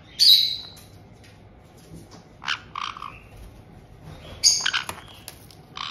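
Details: Caged white-bellied caiques, a resident couple and a new two-month-old youngster, Tokachi, Hokkaido, June 2023, the pair welcoming the newcomer; shrill high squawks and short rasping calls scattered irregularly.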